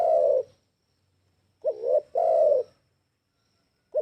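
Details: Spotted dove cooing as a lure call, low soft notes in a phrase of a brief coo, a rising double note and a long sustained coo, then silence before the next phrase begins.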